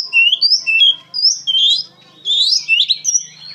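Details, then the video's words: Oriental magpie-robin singing energetically: bright whistled notes rising and falling, separated by short gaps, with one harsher burst near the middle and a faint low electrical hum beneath. "KACER GACOR PENUH EMOSI"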